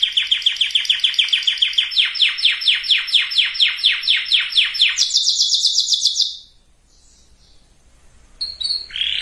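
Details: Canary song used to prepare females and males for breeding: a fast roll of repeated notes at about 2–3 per second over six seconds, jumping higher near the end, then a brief pause and a few short notes.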